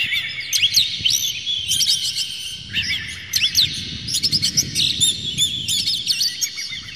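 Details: Oriental magpie-robin, used to provoke other magpie-robins into singing, sings a fast, unbroken run of loud, varied whistles, slurred notes and chattering trills, all high-pitched, over a faint low rumble.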